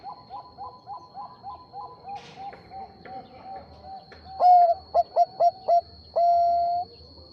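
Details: Bangkok-type zebra dove song meant to get a rival to reply. A quiet run of fast repeated coos gives way to a loud drawn coo, four staccato beats and a final long flat coo. A thin high tone hums underneath.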